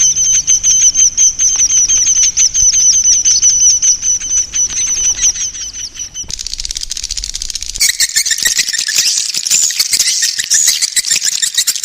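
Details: Swiftlet calls recorded to lure swiftlets into roosting: dense, high buzzy chirps in rapid series, later blending into a thick, continuous chattering of many birds.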